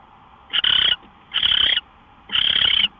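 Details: Owl at 5:27 AM on March 24, 2013, uttering three longer grating hisses close together, each nearly half a second, the first broken by a short catch, above a soft electrical hum.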